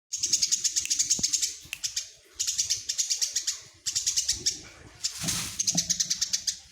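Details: Tame, very vocal Eurasian tree sparrow (Passer montanus), said to sing day and night, giving rapid bursts of bright, high chirps, about eight per second, in runs of a second or so, with a brief rustle near the end.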